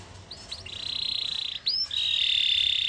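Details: Canary producing long, steady, high trilled tones broken by brief upward slurs. A faint low hum runs underneath.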